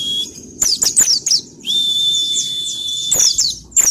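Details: Pleci (white-eye), ngalas type, singing as a lure to spur birds to sing: sharp high chirps, then a drawn-out thin steady whistle with twittering above it, and a faint low hum underneath.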